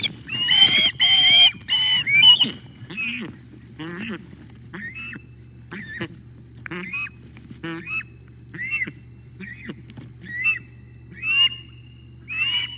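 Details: Ospreys at a nest at 06:25 on 9 August 2021 as the male brings breakfast and the chick takes it. Loud, harmonic, whistled yelps open the clip, followed by shorter sharp chirps repeated about once a second, with a low steady hum beneath.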